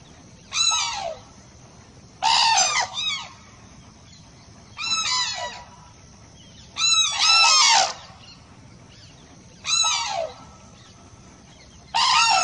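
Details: Cranes calling in loud, harsh, rattling bursts with many overtones and falling tails, each lasting about half a second to one second, coming roughly every two to three seconds over a steady soft background hiss.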